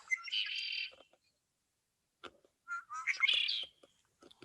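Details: A male Red-winged Blackbird in Michigan, an early spring migrant heard from March, gives two songs, each a few sharp introductory notes running into a high, buzzy, rattling trill about a second long, with faint clicks between.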